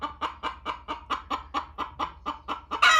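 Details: Hen laying in a barn while another hen clucks loudly for her to get off the nest. About a dozen rhythmic, throaty clucks, roughly four per second, run straight into the start of a loud squawk.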